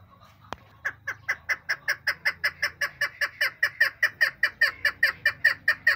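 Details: Female chukar partridge calling: a steady series of short, clucking chuck notes, about four per second, growing slightly louder and more even as the series continues for five seconds after a single sharp click.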